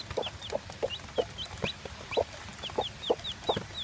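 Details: A day-old chick with its mother hen, a mostly Plymouth Barred Rock, sired by a Barred Cochin. It gives short, high, arching peeps in quick series, interleaved with the hen's deep soft clucks.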